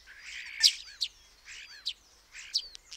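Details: Common starling mixing harsh buzzy phrases with sharp clicks and quick descending whistled notes, in a jumbled, chattering sequence.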